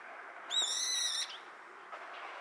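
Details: Juvenile brown-eared bulbul, recorded 27 December 2022, gives one drawn-out, thin, squealing note, steady and slightly harsh, lasting under a second against quiet background hiss, followed by faint soft sounds.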